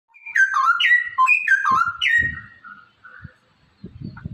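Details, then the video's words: Straw-headed bulbul, a caged bird, singing to stimulate other caged birds to sing: rich, loud whistled phrases with rapid liquid notes jumping up and down, then quieter scattered notes and low thumping knocks near the end. "merangsang cucak rowo malas bunyi agar rajin bunyi"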